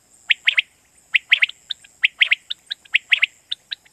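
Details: Quail lure call from Pakistan for night hunting: rapid, bright, clipped notes in triplets and pairs, closely spaced and lively, with softer higher notes between and a constant faint electronic tone.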